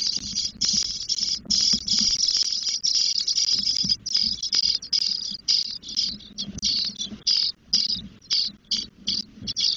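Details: Spotless starling chicks ten days old begging in a nest in Doñana National Park, Spain, as the female brings food: loud harsh hissing rasps, high and noisy, in bursts of about half a second with brief gaps, nearly continuous.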